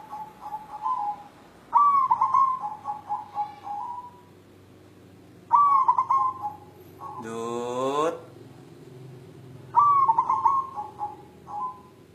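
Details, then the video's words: A white local zebra dove calling for a mate repeats its mellow, stuttering coo roughly every four seconds, four phrases in all. Midway, a loud, wavering, falling harmonic call cuts in briefly. "Perkutut putih galau mencari jodoh"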